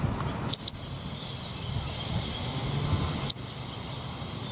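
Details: Grey wagtail recorded with a camcorder in the Salinas y Arenales de San Pedro del Pinatar park, Murcia, Spain: two sharp high chips, a pause, then a clipped burst of five or six very high notes, with steady faint background hiss.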